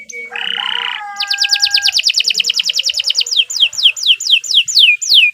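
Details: Canary singing a long unbroken song for tutoring other birds; a harsh buzzy note opens, followed by a fast run of repeated chips that slows into looping downward whistles.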